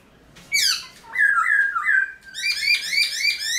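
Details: Caged Black-throated laughingthrush singing in the early morning in the wild-style 'forest voice', meant to rouse newly caught birds into song. A sharp falling whistle leads into three smooth mid-pitched whistled phrases, then a quick run of bright, bouncing notes.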